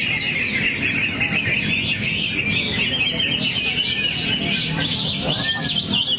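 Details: Greater green leafbird's rapid, unbroken chatter of high sharp chirps and twittering notes, varied and fast, over a persistent low droning background.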